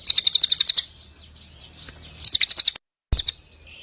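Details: Cililin bird calling in short, fast bursts of high chirps: a run of about ten notes, a pause with soft twittering, another quick burst of about eight chirps, then a brief final flurry.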